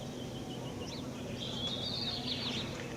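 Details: A bird described as weird, recorded in Atlixco, Mexico, gives thin, squeaky whistled notes that wander up and down, then a longer sliding whistle, over steady low hum and background noise.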